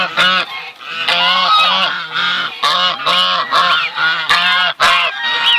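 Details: Brown Chinese goose and goslings calling; a run of distinct loud nasal honks, about two per second, separated by short gaps, with thin rising squeaky notes heard between and over them.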